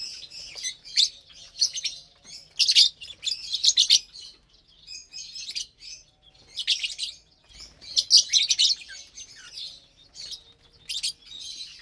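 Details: Pet lovebirds sharing breakfast on a Saturday morning, 30 April 2022: lively, shrill chattering in repeated bursts of scratchy chirps, some overlapping, with short lulls between runs.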